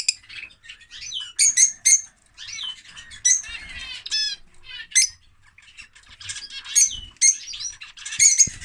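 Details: A male lovebird, whose mate died after laying eggs in winter, utters shrill squeaks, buzzy trills and sharp high notes in irregular bursts over nearly nine seconds.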